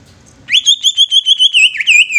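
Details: Greater green leafbird giving a provoking song that makes other leafbirds sing and become agitated: a loud, rapid series of clear whistled chips. The notes hold an even pitch, then drop into lower swooping notes near the end.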